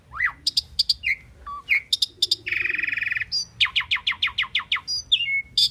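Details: Common pied myna chattering song: varied whistles, squeaks and sharp clicks, a harsh buzzing rasp, then a rapid even series of about ten short descending chirps.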